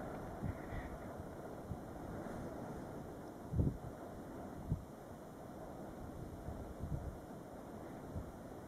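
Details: Wind rumbles steadily against the microphone, with a few low thumps and no animal voice heard.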